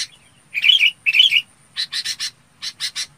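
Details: A red-whiskered bulbul (Pycnonotus jocosus) calls the flock together: two bubbly, warbled phrases, then two quick bursts of three or four short, bright chirps, against a quiet background.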